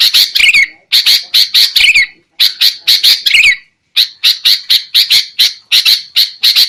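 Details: Loud sooty-headed bulbul calling played to lure birds into traps: dense runs of harsh, scratchy notes in fast clusters, some ending in a dipping slur, broken by two brief pauses.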